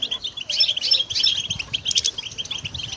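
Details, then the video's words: Goldfinch singing, recorded for training songbirds: quick, high, twittering chirps about three per second, mixed with thin whistled notes and a brief burst of buzzy twitter. "Song Goldfinch Training"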